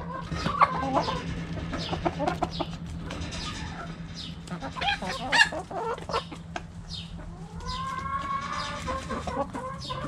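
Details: Flock of backyard hens and roosters at a cabbage, scattered clucks and sharp noises, then a run of longer tonal calls in the final seconds.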